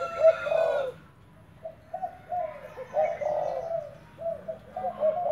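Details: Decoy spotted dove being trained, giving deep, hollow coo phrases of several soft notes. The first phrase is louder, followed by a quiet gap, then further mellow hooting runs spaced about a second apart.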